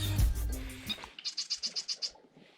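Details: A Marsh Wren in wetland vegetation on the Colorado River gives a quick, dry rattle of about eight high, evenly spaced notes in under a second, after low rustling and kayak paddling noise.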